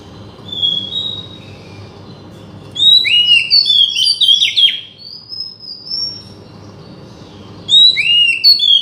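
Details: Oriental magpie-robin song meant to provoke a silent bird into singing: soft whistles, then two bursts of rich, rapidly varied whistled phrases with upward and downward slurs, separated by a pause, over a low background hum.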